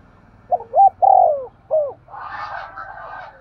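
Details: A decoy spotted dove coos a single phrase of short and drawn-out falling notes, followed by about a second and a half of rustling noise.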